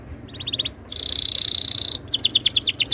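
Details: Song of a canary used to tutor other canaries: a short soft trill, a loud continuous buzzing roll for about a second, then a quick series of sharp repeated whistles.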